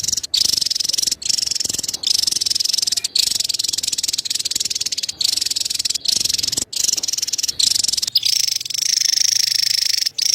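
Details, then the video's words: Javan tesia in steady cerecet chatter: a continuous high, rasping buzz running the whole time with tiny breaks, turning slightly purer and thinner toward the end. "SUARA CERECETAN TESIA JAWA"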